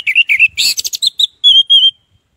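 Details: Orange-headed thrush song used as a lure to prompt silent birds to sing: quick warbled notes and a rough chattering burst, followed by two long, clear, high whistles with a slight wavering.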